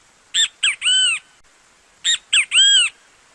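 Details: Singing great kiskadee from Brazil gives two matching phrases about 1.7 seconds apart, each made of two short grating notes and one longer, rising-then-falling squawk.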